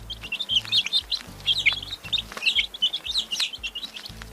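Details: Baby chickens peep with high, wavering, downward-sweeping chirps in loose clusters. Low music notes pulse on and off in the background.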